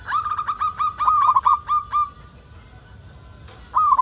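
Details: Zebra dove, local bird, singing strongly to draw other doves into song: a run of rolling, evenly pulsed mellow notes fading out, a pause, then a fresh coo starting.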